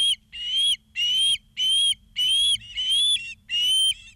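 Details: Osprey at a nest in Charlo, Montana, on 09/02/2023 at 16:03, picked up by a live camera: six loud whistled, slightly upslurred notes, each about half a second long, spaced evenly over a low background hum.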